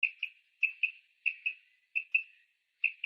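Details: Female common quail call, used in Pakistan to lure male quail for catching: soft, high double notes, the pairs repeated about every two-thirds of a second in a steady rhythm; nothing else heard.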